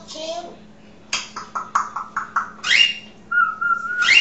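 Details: African grey parrot kept as a pet, chatting indoors: a low sliding whistle, then a run of short bright chirps, a downward swoop and a long level whistle ending in an upward sweep, over a steady low room hum.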